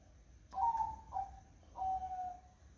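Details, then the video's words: Zebra dove singing on a foggy morning: three soft, mellow cooing notes at a steady mid pitch, the first slightly wavering and the last drawn out and fading, over a low background rumble. "Suara Burung Perkutut di Pagi Hari Berkabut"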